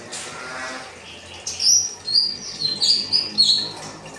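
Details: Kinoi singing 'rambatan' training material for cage birds: after a quiet start, a run of short, high whistled notes begins midway, some rising and some falling, about five phrases in two seconds.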